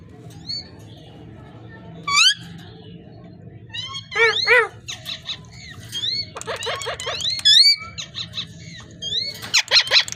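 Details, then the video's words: Parrot making a varied string of sounds: steep rising squeaks, clusters of buzzy harmonic notes, rapid chatter and looping whistles, spread irregularly across the clip over a soft background hum. "Amazing parrot talking and voice"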